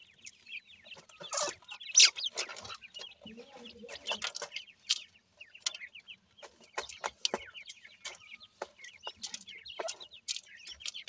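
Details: Francolin chicks calling among their family, a continuous scatter of sharp high chips and twittering peeps, some softer low clucks midway, and occasional rustling bursts.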